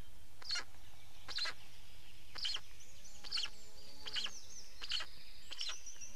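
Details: Black storks in Estonia, 19 May 2019, changing over at the nest and feeding; a steady series of brief scratchy calls comes about once a second, while a thin high whistle of another bird runs faintly behind.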